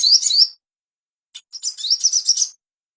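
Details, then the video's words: Ashy tailorbird master song for bringing on breeding condition: a short burst of shrill rising chirps, a pause of almost a second, then a longer run of quick upward-sweeping high notes. "PANCINGAN SOGON‼️BIAR CEPAT BIRAHI‼️AMPUH MASTERAN"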